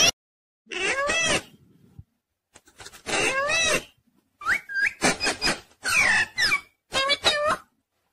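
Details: Pet parrot talking, said to be saying "mummy papa"; several short bursts of squawky, speech-like syllables with wavering harmonic tones, separated by brief pauses, no other clear sounds.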